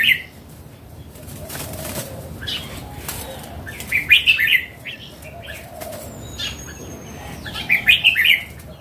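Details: Mature wild Red-whiskered bulbul, red-cheeked, repeats a cheerful warbled phrase of four or five quick bouncing notes three times, several seconds apart, with faint chirps and soft ambient noise between.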